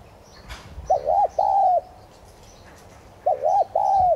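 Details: Thúc gù calling by a decoy spotted dove, tigrina, used to encourage other doves to sing: after a faint rustle, two soft mellow phrases of paired short coos ending in a long drawn note.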